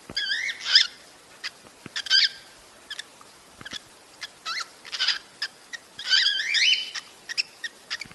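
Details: Cockatiel mating call, used to encourage breeding: bright, clear whistles that sweep up and down, given in short bursts with gaps between them, over steady background hiss and a few clicks.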